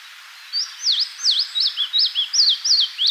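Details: Eastern crowned warbler singing, recorded in Tainai, Niigata, Japan: a quick, high run of about eight slurred, dipping notes, roughly three per second, over faint background hiss.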